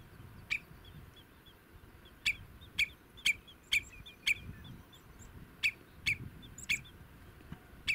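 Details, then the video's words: Common redshank, adult and juvenile, filmed from a distance in meadow habitat: sharp high piping notes given singly or in quick pairs, about ten over eight seconds, over low rumbling background noise. "Leer de tureluur herkennen (volwassen en jong) in beeld en geluid"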